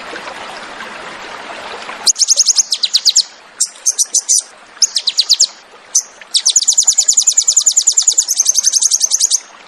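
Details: Crested jay, called sogon, giving a fierce 'tembakan' song for training cage birds: after a hiss, short bursts of very high rapid notes, then a long steady machine-gun trill.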